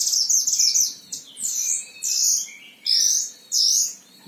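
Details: High sweet warbling from a caged Himalayan oriental white-eye kept as a tutor bird in Sragen, Central Java, Indonesia. Long bright trilled phrases alternate with short pauses, each phrase swooping and rolling.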